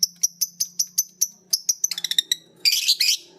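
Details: A green biola lovebird and a PB Piet lovebird picking up ngekek from each other: steady high chips repeated about five times a second, speeding into a tight stutter, ending in a harsh grating burst.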